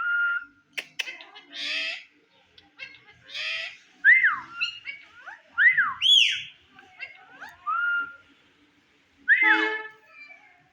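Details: Indian ringneck parakeet talking in front of a mirror: a run of mimicked speech-like syllables with bright arched whistles rising and falling, harsh noisy bursts between, repeated in phrases over ten seconds.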